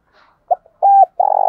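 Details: Spotted dove used as a decoy bird, calling to provoke wild doves to fight: a faint murmur, a short low note, a flat sustained coo, then a long rolling, vibrating coo.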